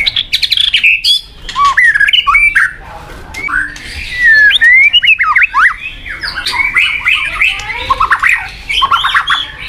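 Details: White-rumped shama song full of rapid, varied slurred notes and harsh squawky bursts, delivered in dense phrases with short quiet gaps.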